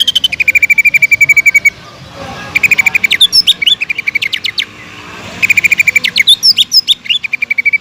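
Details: Greater green leafbird delivering lively song, used to provoke other leafbirds into continuous singing: three bursts of fast, repeated sharp high chirps, each turning into twisting whistled and twittering notes before a short pause, over a quiet background.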